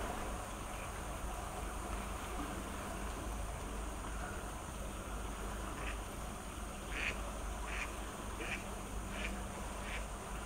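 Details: Black-crowned night heron in Sakura City, Chiba Prefecture, Japan, giving short, harsh, croaking calls over a steady rumbling background.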